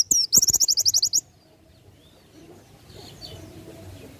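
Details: Oriental white-eye delivering a brisk, buzzy trill of about a dozen quick notes in the ngalas nembak style, a tutor recording, followed by near silence with faint distant chirps.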